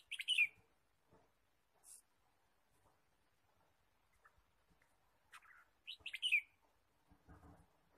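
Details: Forest recording from bird trapping, 23 March 2017: red-whiskered bulbul gives two short chirpy phrases about six seconds apart, each a quick cluster of bright falling notes, with scattered ticks and a low rustle between.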